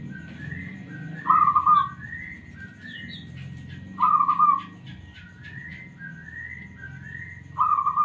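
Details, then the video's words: Smooth-voiced local zebra dove (perkutut), answering, gives three loud rolling coos a few seconds apart, with a steady run of softer rising whistles and chirps from other birds between them. "PERKUTUT LOKAL SUARA MULUS 💯% Nyaut"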